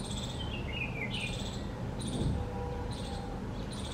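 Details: Bulbul on 17 November calling a quick run of falling, bubbly notes early on. Insect chirps pulse at a steady beat over heavy low background noise.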